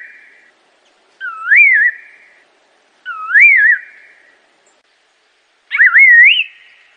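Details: Assam laughingthrush singing loud, fluty whistled phrases roughly every two seconds, each dipping then rising in a bouncy warble before fading out; the last phrase starts with a rapid up-and-down flourish. No other noises.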